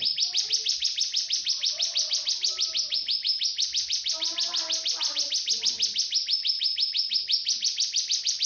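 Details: Cigun song used as a master recording for teaching magpie-robins and white-rumped shamas: a fast, even, high-pitched trill of rapidly repeated sharp notes running nonstop, with faint lower chirps and twitters in the background.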